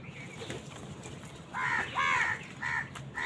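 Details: Crows fighting wild birds for food: after a quiet opening, a burst of three or four harsh, nasal caws follows in quick succession in the second half.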